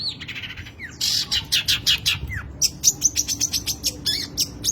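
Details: Long-tailed shrike in an unruly singing style full of varied material: a fast run of sharp, dense chirps with a few slurred notes, repeated almost twice a second, over a steady low hum.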